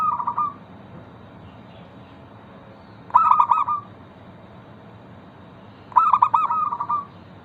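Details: Local zebra dove whose song serves to coax other zebra doves into singing: three brief rippling coo phrases roughly every three seconds over quiet background.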